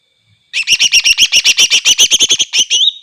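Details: Greater green leafbird in full song, said to provoke rival leafbirds: a sudden start into a fast, steady string of loud, piercing chirps repeated about four to six times a second, ending in a slurred, rising note.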